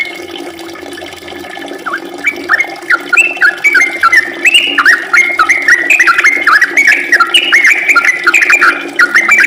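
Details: Rapid, long-running 'ropel' song of a sooty-headed bulbul in full voice, starting softly with isolated notes and building into a dense, continuous string of rising and falling warbled whistles.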